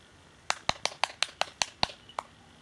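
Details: A hen harrier (Circus cyaneus), which circled with and harassed a peregrine falcon before being chased off, gives a dry, chattering string of about nine unevenly spaced sharp 'kek' notes over under two seconds.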